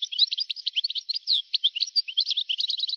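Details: Old recording of a European goldfinch from 1982 to 1990, singing a dense, fast twittering stream of short tinkling chirps and trills, continuous throughout with no other sounds.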